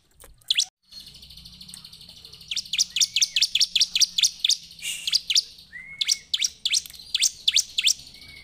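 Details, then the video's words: Bar-winged Prinia (ciblek) singing energetically in the afternoon, giving rapid series of sharp, high chips, repeated several times a second in bursts, with a few rising whistled notes between. "suara ciblek gacor"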